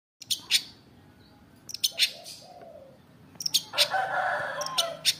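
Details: Long-tailed shrike, locally called cendet, singing vigorously in the afternoon: scattered sharp, harsh broadband notes with a longer buzzy, scratchy phrase near the end and quieter low warbles between.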